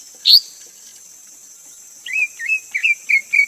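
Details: A single sharp high note from a greater green leafbird, then a pause of over a second, then a run of level, bright whistled notes repeated quickly. A steady buzzing insect drone continues behind.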